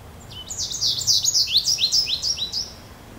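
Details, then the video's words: High, liquid twittering of a goldfinch, quick downward-slurred and rising notes strung together for about two seconds, clearest in the middle, with only a soft low hum of background noise behind. "Goldfinch calls"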